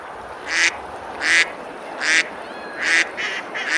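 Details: Summer river scene at Besalú, Girona, Spain, with ducks feeding and splashing: a series of coarse, nasal quacks repeated roughly every 0.75 seconds, the last two closer together.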